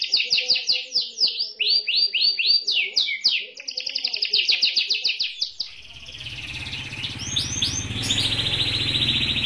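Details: White canary kept by a young woman, singing fast rolling trills of high chirps and sweeping notes for about six seconds before fading; a rougher, noisier background then takes over.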